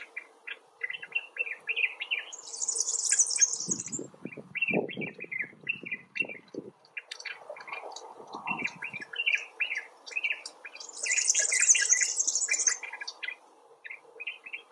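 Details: Common bulbul (Pycnonotus barbatus) filmed outdoors giving steady, repeated short chirping notes. Loud high buzzing bursts occur twice, and there is low rustling and background noise.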